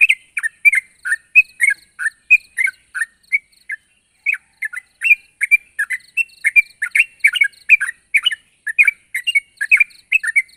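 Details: Sooty-headed bulbul in full voice calling out to a rival, a lively run of short warbled chirps, briefly pausing near the middle before resuming its quick chattering rhythm.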